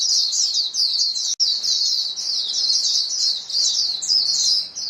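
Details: A flock of white-eyes exchanges calls: busy, high-pitched chattering chirps layered over each other, with one short break partway through.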